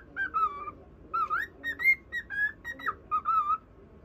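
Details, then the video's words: Caged pet cockatiel singing a whistled tune to a budgerigar; varied rising and falling whistles, some slurred upward, form a short melodic phrase. "オカメインコ 口笛"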